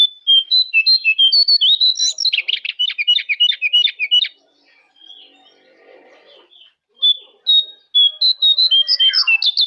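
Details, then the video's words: Jongkangan master song meant to set caged birds singing: rapid runs of high, clear whistled notes, about three per second, broken by a brief quieter pause before the lively whistling resumes. "Masteran Jongkangan"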